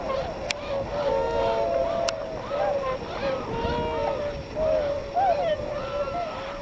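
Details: Flock of Tundra swans at Yonago Waterbird Sanctuary in Tottori, Japan, during the spring migration north; dense, continuous chorus of soft honking and whooping notes, many birds calling at once, with two sharp clicks early on.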